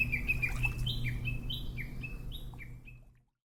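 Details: Oriental greenfinch in a Hokkaido neighbourhood during the breeding season, from a recording of male song and calls: a quick run of bright, twittering chirps and slurred notes, about three per second, over a steady low rumble.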